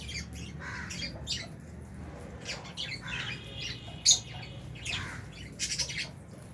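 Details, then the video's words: Feeding albino and Fisher's lovebirds with budgies in an aviary; scattered high chirps and squawks, one loud sharp note near the middle, over low background hum. "Lovebirds Chirping Sounds"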